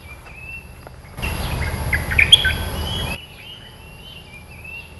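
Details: Red-eyed bulbul lure song, a two-second spell of fast bubbling, chirpy notes with a bright high squeak, framed before and after by thin sliding whistles from other birds.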